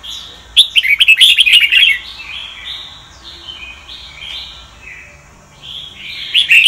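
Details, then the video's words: Sông Kon style Red-whiskered bulbul, a recording for voice training; a loud burst of rapid chirps and whistles, then softer drawn-out whistled phrases, and a final loud flourish. "Chào mào luyện giọng cực hay"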